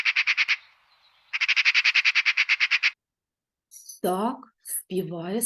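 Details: In spring, a Eurasian magpie gives two bursts of harsh, dry, rattling chatter, fast rows of grating notes, followed by a person speaking.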